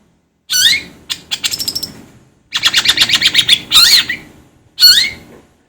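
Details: Long-tailed shrike with a loud harsh squeal, a quick rattling trill of high clicks, a denser buzzy rattle, then two more loud, rough, downslurred squawks.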